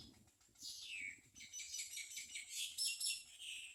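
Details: Common myna nestlings at the nest being fed: harsh, hissing, raspy calls in rapid overlapping bursts, high-pitched and noisy, opening with a downward-sweeping screech, then continuous scratchy chatter with brief pulsing peaks.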